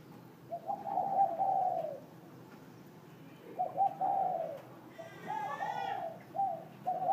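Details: Spotted dove calling in the morning: soft, low, hollow coos in short phrases, each ending in a drawn-out falling note, separated by pauses; another bird adds a brief warbling twitter in the background.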